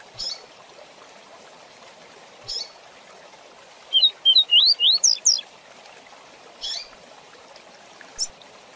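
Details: Rusty-collared seedeater giving a rapid 'tui tui zel zel' song for teaching young birds; a brief run of rising whistles and sharp downslurs, separated by short isolated chip notes spaced a couple of seconds apart.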